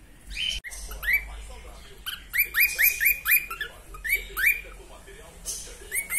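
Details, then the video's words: Female cockatiel singing, kept as a pet: a run of short rising whistled notes, several repeated in quick succession, with some chatter, faint speech and background noise. "Calopsita FÊMEA cantando"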